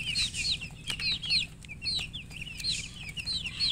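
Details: Newborn chicken chicks calling loudly, clear high peeps that drop sharply in pitch, given in quick bunches of two or three, several chicks overlapping.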